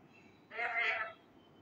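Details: A young male ringneck parakeet mimicking speech indoors gives a single throaty, voice-like utterance of about two-thirds of a second, with a rich layered tone that swells and fades. The room is otherwise quiet.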